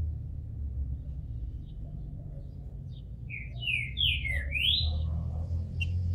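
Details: Captive-bred Green-winged Saltator in Brazil, bald and coming out of moult, gives a soft run of slurred whistled notes midway through, rising and falling, over a steady low hum.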